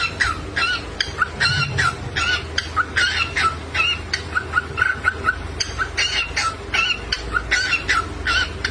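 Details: Pet cockatiel singing a lively chattering string of short whistled notes with harsh upper overtones, about two per second at an uneven pace, over a steady low hum.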